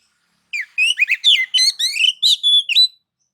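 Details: Provoking song of a white-rumped shama meant to stir other shamas to sing: a rapid run of about ten varied whistled notes, slurred up and down, ending on a clear sustained whistle, on a silent background.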